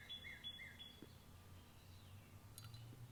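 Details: A distant Northern Cardinal sings three quick, clear whistled notes, evenly spaced, in the background over a low indoor rumble and hum.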